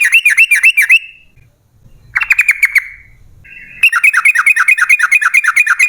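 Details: Yellow-vented bulbul in a fast, long-rolling song, played as a lure to make other bulbuls sing. It gives quick chirpy notes repeated about three per second in three runs, with a faint low rumble in the gaps.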